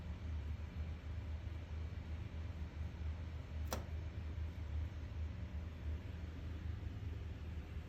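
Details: Steady low hum of indoor background noise, broken once midway by a single sharp click.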